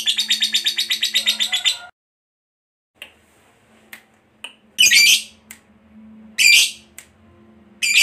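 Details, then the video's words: Fighter-type lovebird used as a lure for ngekek singing: a fast pulsed trill for two seconds, a pause with scattered clicks, then three loud harsh squawks over a low steady hum. "Jadikan Lovebirdmu FIGHTER Rajin Ngekek Panjang"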